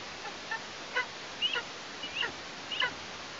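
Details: Juvenile female Eastern imperial eagle in Tatarstan, calling from near the nest on 17 August 2023, three days after her first flight; harsh, hoarse notes with a falling tail, about five in three seconds, over steady background hiss.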